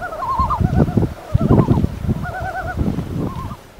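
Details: Yellow-billed Loon on its northern Alaska breeding grounds, tundra lakes of the Colville River Delta, giving quavering tremolo calls in several short bursts over a heavy low rumble of wind or water.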